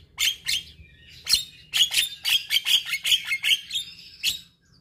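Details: Javan myna song, played as a routine morning and evening recording for stressed mynas that have stopped singing: rapid bursts of harsh, buzzy notes with clear whistled accents, repeated about once a second.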